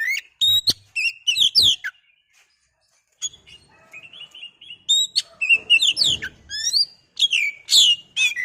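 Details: Oriental magpie-robin song meant to stir a bird into singing: dense bursts of bright whistled and chirped notes, a brief silence, then softer repeated warbles building back into loud, rapid varied phrases.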